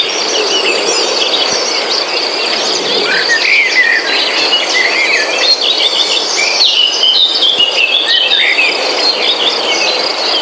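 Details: Birds in a forest setting, a dense chorus of many overlapping high whistles, chirps and short trills, with a steady high insect buzz running underneath throughout.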